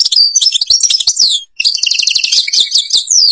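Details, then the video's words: European goldfinch singing in Algeria, linked to the Babas forest at Tiberli: rapid, high, liquid twittering with tinkling trills and downward slurred notes, broken by a brief pause. "canto jilguero argelia"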